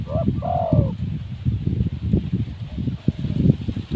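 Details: Wild spotted dove uttering a brief low coo and a longer drawn-out downslurred note over steady low rumbling and thumping background noise.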